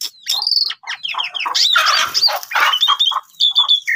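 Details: Asian pied starling song for goading quiet starlings into singing, a burst of squeaky downslurred whistles and a noisy harsh section, then thin sustained whistles.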